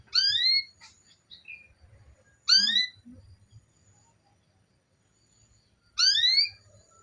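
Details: Female canary calling so the male will sing: three loud upward-sweeping harmonic calls at about 2.5 to 3.5 second intervals, with a short whistled note after the first.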